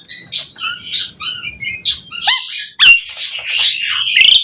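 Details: Asian pied starling song played as a trigger for other starlings: a run of quick, chattering whistled phrases with rising slurs, then a louder stretch of grating, squawky notes and a final harsh buzz.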